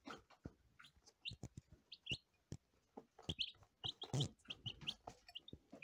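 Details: First-day lavender Ameraucana chicks peep steadily in thin, high notes while loud clicks, taps and a thump of handling crowd the foreground.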